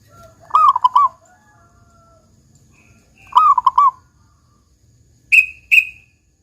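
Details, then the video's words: Local zebra dove singing actively with a big 'kung' coo: two low tremulous cooing phrases, each a rolled run of notes, then two short higher chirps from another bird near the end; quiet background. "Perkutut Lokal GACOR Suara Kung Besar"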